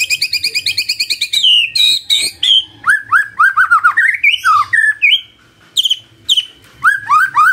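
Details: Magpie-robin song played in the morning to prompt a quiet bird to answer: fast rattling series of high notes, then rich varied whistled phrases with rising slurs and buzzy notes, loud and continuous.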